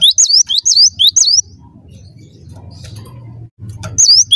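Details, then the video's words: Vigorous gacor singing from a gelatik batu: a run of ringing two-part whistles, each sliding down then up, followed by a pause of low background hum before the phrases resume. "Burung gelatik batu gacor"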